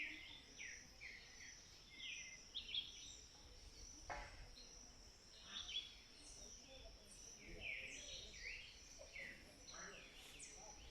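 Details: Several birds of the Sierra Nevada calling together: short clear whistles and quick downslurred notes, some repeated, above a steady high-pitched drone, with one brief knock midway.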